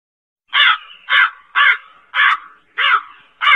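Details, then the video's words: A black crow gives a steady string of rough, cawing notes, about six in quick succession at half-second intervals, each harsh and short with a soft fading trail. "Suara gagak seram/suara burung gagak/suara burung gagak hitam seram"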